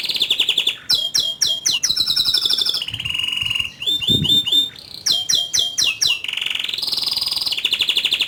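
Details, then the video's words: Caged-style canary rolling and shooting out notes (ngerol, nembak): alternating clusters of sharp falling sweeps and sustained trilled tours at several pitches, the pattern changing every second or two, with a brief low rustle midway. "Kenari Gacor Ngerol Nembak Suara Kicauan nya ISTIMEWA"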